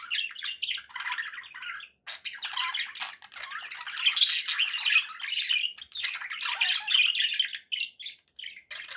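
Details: Budgies kept as pets chatter in uneven bursts of squeaky, rasping warble and chirps, with brief silences between phrases.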